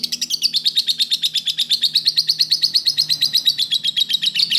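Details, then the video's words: Lovebird master recording for training other birds: quick chattering high chirps pulse about three times per second, the pitch wavering gently up and down throughout. "masteran Love bird"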